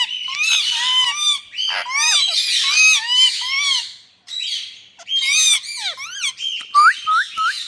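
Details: Indian ringneck parakeets in India calling loudly: shrill, bent chirps and harsh squawks tumbling together, a brief lull, then a string of clear upward-sweeping notes.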